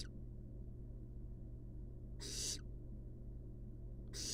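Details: Two rasping, noisy hisses from barn owl chicks resting inside a wild nest box, spaced about two seconds apart, with a constant low drone underneath.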